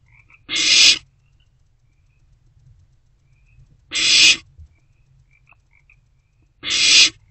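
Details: An owlet at night in a nest box, swallowing a newly delivered rodent, repeats a coarse, breathy screech three times, spaced about three seconds apart, over a quiet background.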